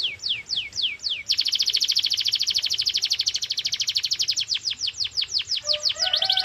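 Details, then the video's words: Canary in full song, used as a lure to coax other canaries to sing: several sweeping falling notes, then a long, intense rapid trill that slows into separate downward strokes, with soft lower tones near the end. "Canary singing FULL POWER 🙌| Canary singing sound"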